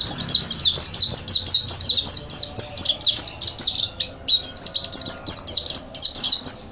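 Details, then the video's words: Mountain white-eye singing a master song meant for training other birds: continuous high twittering of fast, downward-slurred chirps, rolling on steadily with one short break midway. "MASTERAN PLECI MONTY GACOR NEKBAK ISIAN MANTAP | MANTERAN PLECI MONTANUS ISTIMEWA"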